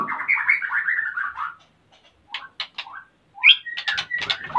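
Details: ['A male white-rumped shama in breeding condition, eager to mate while the female builds a nest, at a breeding site in Salaman, Magelang, Central Java. It gives a rapid warbled phrase, a pause, then sharp varied notes and bright whistles.']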